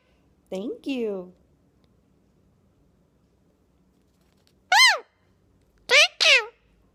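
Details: Two-year-old male Indian ringneck parakeet, a pet, talking indoors to the camera. Its talking comes in three separate bursts, each made of short, squeaky, speech-like syllables with swooping pitch, separated by quiet pauses.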